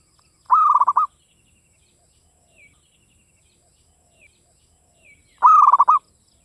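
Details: Native Javanese zebra dove delivering two rhythmic phrases about five seconds apart, each opening with a held coo and ending in staccato pulses. Brief faint high chirps are heard in the gap.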